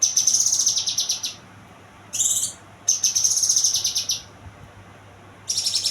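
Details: Young kinoy pouring out fast, high-pitched stuttering trills in bursts over a second long, separated by short silences, with one shorter rising buzzy note.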